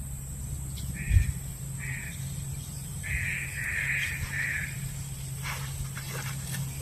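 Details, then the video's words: Green pigeon lure call for trapping: soft tonal notes in short groups, a longer run of connected notes in the middle, then faint clicks and rustles, against constant whine and low hum. "Poin burung Punai daun"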